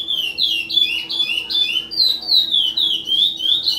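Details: A captive-bred chestnut-bellied seed finch (curió), from the 2020/2021 season, sings a rapid, continuous run of clear whistled and slurred notes, high and sweet, with a faint steady hum behind.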